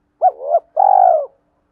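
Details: Spotted dove calling to provoke rival males: a short, low, throaty two-part coo rolls straight into a longer, steady, slightly vibrating coo. The whole phrase lasts about a second against a silent background.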